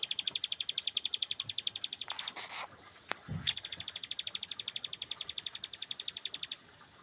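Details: A young bar-winged prinia basks in the sun, repeating high, clipped notes in fast, even series. A short rustling noise and a sharp click break in midway before the steady run resumes.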